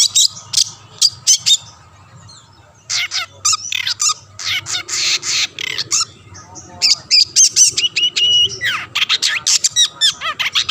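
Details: Long-tailed shrike singing to stir rivals into answering: dense runs of scratchy broadband notes broken by short pauses, with a faster stuttering series of clipped chirps toward the end.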